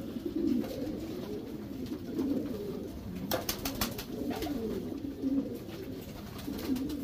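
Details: Racing Homer pigeons, a domestic breed, in a breeding section of a loft: low, wavering cooing repeated throughout, with several birds overlapping and occasional clattering and wing sounds.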